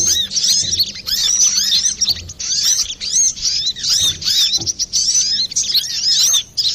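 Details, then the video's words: Brown-throated sunbird in lively, clear song, used as a lure or training recording for other birds; dense, high twittering of quick chirps and short up-and-down whistled slurs runs almost without pause. "Pancingan burung Kolibri Klapa ribut,suara jerni"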